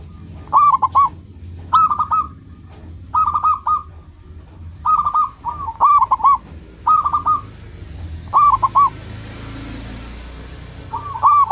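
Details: Lively local zebra dove singing to attract rivals and call companions: brief stuttering high coo phrases repeated roughly every second or so, eight or nine bursts, with steady low rumbling background.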